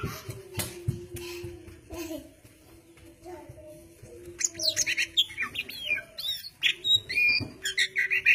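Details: Oriental magpie-robin: a fairly quiet opening with scattered notes and a steady low hum, then the bird breaks into loud, dense song of quick chirps and bright whistles in the second half.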